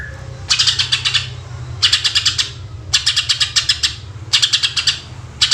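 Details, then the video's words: Energetic greater green leafbird song played as a lure for other birds: bursts of rapid rasping pulses about once a second, each string lasting under a second, over a constant low drone. "Cucak Ijo Gacor Full Tembakan Suara Asli Jernih"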